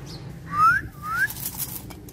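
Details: An excited talking parrot that speaks Hindi gives two clear rising whistled glides in quick succession, the first louder, followed by soft rustling and a faint low background hum.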